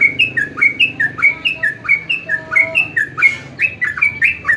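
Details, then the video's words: A sooty-headed bulbul pours out rapid chirpy whistles, short swooping notes in fast sequence, with a few faint steady tones and a low hum underneath. "jogjog yahud trucuk trocok"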